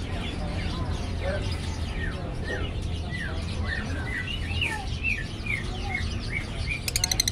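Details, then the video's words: A brightly coloured lovebird in gacor form, still learning to sing, gives a run of quick curved chirps. Many notes rise then drop, over low background rumble, ending with a brief buzzy rattle. "Burung love bird gacor"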